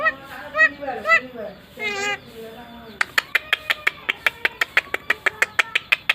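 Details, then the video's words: A Nias hill myna, noted as unique for being able to talk, gives a few hoarse, speech-like phrases, then a rapid run of sharp clicks about twice a second. "BURUNG JALAK NIAS UNIK BISA NGOMONG"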